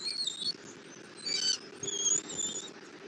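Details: Wild bald eagles at a Southwest Florida nest, midday 8 February 2024, the male bringing a catfish and an eaglet being fed; shrill, piping chirps in short bursts, some sharply upslurred, over faint background hum.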